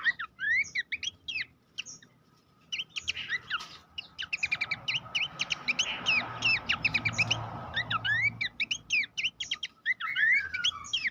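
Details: Babbler master song for training songbirds: a dense run of sharp whistled notes and rapid chirps, many rising and falling quickly, in bursts with a short pause near the start and a faint steady hum underneath.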